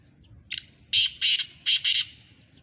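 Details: Morning call of a black francolin: one brief rasping note followed by four loud, harsh, buzzy notes grouped in two pairs, strong and clear over a quiet low background rumble.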